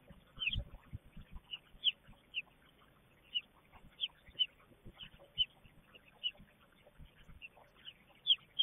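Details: American robin nestlings in the nest, excited as a female brings food, in Southern Ontario, Canada, 12 May 2022; thin, high squeaky notes repeated roughly every half second, with soft low rustling beneath.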